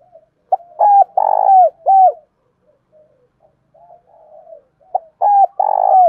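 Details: Spotted dove giving its luring coo, used to provoke and draw in other doves: repeated bursts of deep, rolling coos with short clipped notes, a quiet soft pause mid-sequence, then the pattern resumes.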